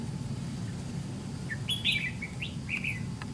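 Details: A white-cheeked Red-whiskered bulbul caught at a decoy fight trap gives a brisk burst of liquid, looping notes after a quiet first second, with a low rumble throughout.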